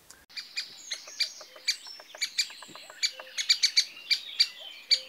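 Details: Great Spotted Woodpecker in the UK giving its alarm call, the contact "kik" fired rapidly when alarmed: sharp, high notes three to four a second, quickening toward the end.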